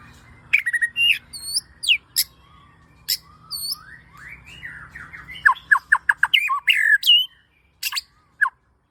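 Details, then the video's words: Lure recording of a white-rumped shama, billed as ngebat with dense bursts and full variation: loud, varied song of sharp downslurred whistles and hooked notes, ending in a quick run of emphatic repeated strokes with brief pauses. "Suara Burung Murai Gacor Pancingan"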